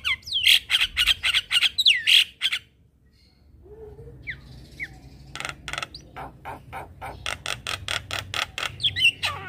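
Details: Rasping, rapidly repeated notes of a Javan myna lure song for morning training, loud at first, a near-silent pause around three seconds, then a steady series of harsh chattering bursts with a few thin whistles.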